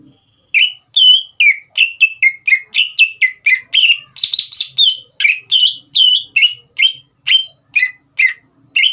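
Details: Green leafbird singing continuously to provoke a young speckled bird into song: a long rapid series of bright whistled notes, varied in pitch, around two to three per second with little pause.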